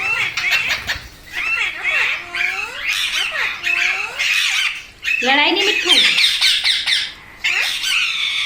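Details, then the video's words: Parrot calling indoors with a string of harsh squawks and rising-falling screeches, some arched and nasal, in bursts separated by short pauses, with a speech-like quality to some notes. "Parrot Natural Sounds Compilation | Parrot Sounds |Baby Parrot Sound"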